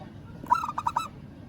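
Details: Zebra dove of a local type calling a rival: a single short rolling coo of four or five pulses, low hum beneath.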